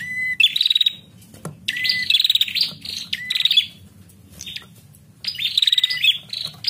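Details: Female bar-winged prinia giving strong calls meant to stimulate a male. Two bursts of buzzy, chattering trills are each introduced by a level whistle. A quieter gap comes between the bursts, with a faint low hum throughout.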